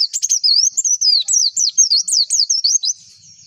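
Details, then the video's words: Energetic pleci (white-eye) song used as a lure to make birds open their beaks and sing: a fast, high run of slurred, wavering chirps, up and down in pitch, roughly five per second, fading out at the end. "PANCINGAN PLECI AGAR CEPET BUKA PARUH"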